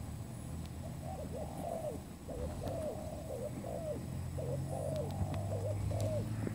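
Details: Spotted dove calling as a lure for trapping, a run of mellow, hollow coos, each note slightly rising then falling, given in quick succession over steady low rumble.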